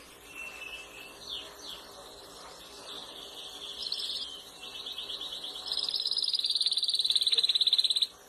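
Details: Singing canaries of different colours: soft warbling notes building into a fast, rolling trill that grows louder toward the end, over steady background hiss.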